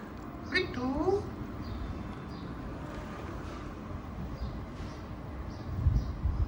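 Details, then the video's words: A ringneck parrot, kept as a pet and known for talking and dancing, utters one short, speech-like phrase with a rising, nasal tone near the start, followed by low background rumble and faint household noise. "Parrot Talking"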